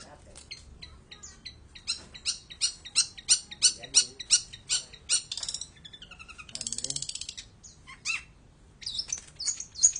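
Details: Long-tailed shrike in energetic song, a run of loud, evenly spaced chirps followed by slurred notes, a brief buzzy rattle and more scattered high squeaks at the end.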